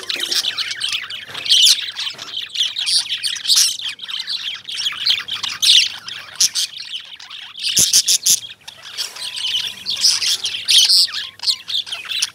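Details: Many lovebirds, named as Indian lovebirds, keep up a continuous busy chatter of thin high twitters and harsh squawks, swelling into louder bursts near the middle and end.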